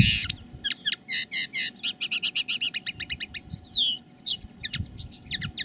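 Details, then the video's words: Common linnet decoy bird in live song: a rapid, even run of about twenty bright chirps, opening and closing with twittering slurs, over a faint hum. "Canto del Pardillo. Dos pájaros de reclamo"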